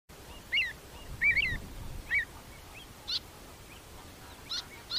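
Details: Avocet in a field recording from the UK: sharp, clipped, fluty calls given one after another at irregular intervals, a few fainter higher notes, and steady low background rumble.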